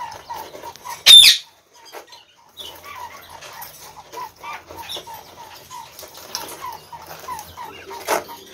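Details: Chinese quails in captivity, seven birds including a white albino, sharing space with a Gould's finch; a loud harsh squawk early on, then evenly spaced soft peeps continuing throughout.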